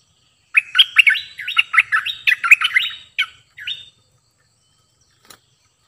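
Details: Decoy cream-vented bulbul singing a lively run of clipped, chirpy upslurred notes packed tightly together, then two separate short phrases after a brief gap, ending in silence with a faint click.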